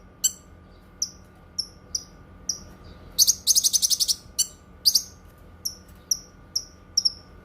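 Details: Cucak kinoi whistling evenly spaced, slightly falling high notes, interrupted by a dense rapid trill of about ten notes at mid-clip.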